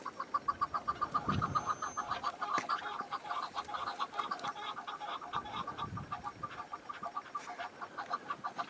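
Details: Wild chukar partridge in snow-patched spring mountains, windy weather: a long, fast, even series of clipped clucking notes, nearly four per second, with a few gusts of wind and a faint thin whistle from another bird.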